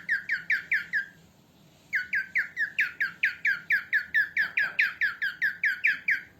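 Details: Female cockatiel, used for training cockatiels. It opens with five scratchy downslurred squawks, pauses briefly, then delivers a long steady series of about twenty similar squawks at a brisk, regular rhythm.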